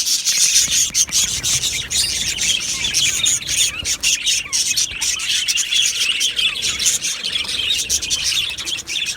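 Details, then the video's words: Aviary colony of budgerigars, a steady chorus of warbling chirps and scratchy squawks from many birds, with a few clear whistled notes standing out. "Beautiful Budgies Singing and Chirping Sounds"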